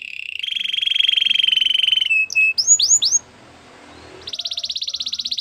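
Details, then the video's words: White canary song: a long, fast, steady rolling trill, a brief pause, a few quick downward-sweeping whistles, then a higher buzzy trill at the end. "Canary singing birds sounds at its best | White canary singing"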